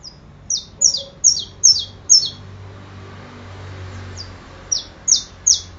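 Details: Saffron finch singing: a series of high, sharp, down-slurred chips roughly two or three per second, a short pause, then more chips resuming near the end.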